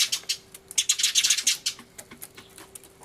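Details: Sparrows in an uproar, filmed 24 March 2013 on a camcorder beside a turtledove; fast, rattling chirps several per second, loudest in the first one and a half seconds, then thinning.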